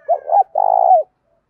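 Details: Loud, clear spotted dove calling coo from a decoy recording used to provoke and train doves. A quick double coo leads into a sustained, purring rolled note that drops off sharply. No other sounds are present.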